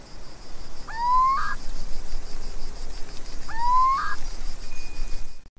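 Little owl giving two plaintive, rising whistled notes about two and a half seconds apart, over a steady background hiss.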